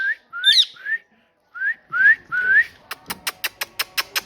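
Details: Talking parrot giving short rising whistled notes and a high squeaky chirp, followed by a steady series of sharp clicks or taps about every fifth of a second.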